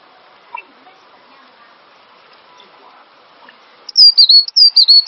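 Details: Cinereous tit song used as bait for training songbirds. Quiet murmuring noise for most of the time, then near the end a loud burst of three or four high, slurred whistles, each dipping and then holding level.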